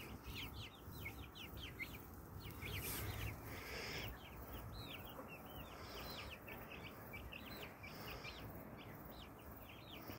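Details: Pet Brahma breed hens and roosters produce a constant stream of high, short, hook-shaped peeps, many voices overlapping rapidly over a broad low rumble and a brief noisy burst near the third second.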